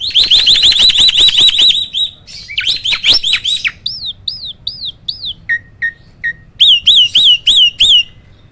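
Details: Hybrid starling bred from Asian pied and black-winged starlings, caged, singing roll tembak: a very loud rapid rattling trill, harsh bursts, then repeated ringing upslurred whistles in evenly spaced series of four or five.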